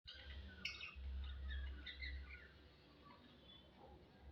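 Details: Lovebirds mating make quick, squeaky high chirps and chatter, scattered over a low, steady background rumble.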